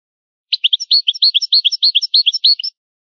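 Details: From a rare old recording of native goldfinch song, a European goldfinch gives a regular run of about a dozen crisp, paired high chirps, evenly spaced, ending abruptly with silence around it.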